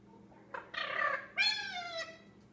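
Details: A 10-month-old pet male Indian ringneck babbling during solo play: a raspy garbled syllable, then a sustained nasal harmonic phrase held level and slowly fading, like a half-formed spoken word.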